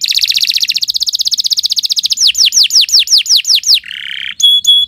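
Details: Canary singing a long, non-stop morning song used as training material for other birds: a fast buzzy trill of about two seconds, then a run of loud, falling whistled sweeps, a short harsh buzz, and two clipped high notes.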